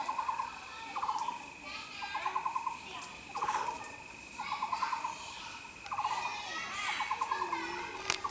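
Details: Taiwan blue magpie on the Cuihu mountain trail at Xizhi, Taiwan: repeated short runs of fast, grating notes that come in clusters roughly every second, with faint higher calls and a constant insect-like drone behind.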